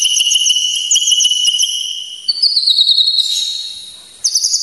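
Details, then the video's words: White-rumped shama trilling in very high, steady, rapidly pulsed notes, stepping up in pitch midway, a short fade, then a bright trill again; used for training and provoking emotion. "masteran dan pancingan emosi murai batu"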